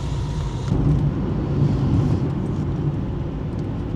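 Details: Low, steady roar of passing traffic or engines outdoors, with no animal voices.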